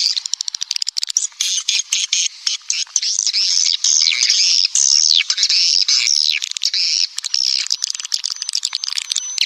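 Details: Lure call for swiftlets: a continuous, crowded twittering of high rising and falling chirps with buzzy edges, steady throughout.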